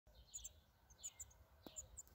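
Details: Six-day-old black redstart nestlings calling for food: very high, thin squeaky notes in short paired bursts, repeated three times in quick succession, over a faint low background hum.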